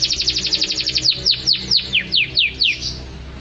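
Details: Song of a canary: a rapid high trill of short notes, then a series of loud downward-sweeping whistles repeated about every quarter second.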